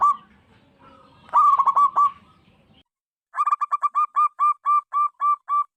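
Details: Zebra dove song: a stuttered cluster of quick coos, then after a pause a long series of clear, slightly rising cooing notes that slow steadily toward the end.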